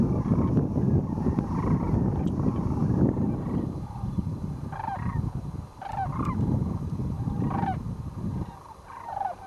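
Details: Thousands of wintering sandhill cranes return to roost at Whitewater Draw, Arizona, in 2010, between noon and 4 pm after a day feeding in fields. Overlapping rolling, trumpeting calls from many birds come in bursts over a low rumble of wind.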